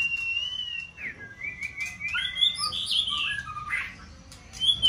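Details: White-rumped shama at the height of its season, provoked to sing multi-faceted song; a long steady whistle, then quickly climbing and tumbling warbled notes in a bright high cascade.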